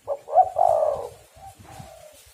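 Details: Spotted dove used as a trapping lure, giving one full cooing phrase: a short note, a rising coo, then a long husky coo that fades into softer drawn-out tones.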